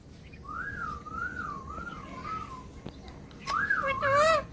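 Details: A talking parrot produces a long, wavering, warbled whistle for over two seconds, then after a short pause a louder, richer wobbling call, against faint room noise.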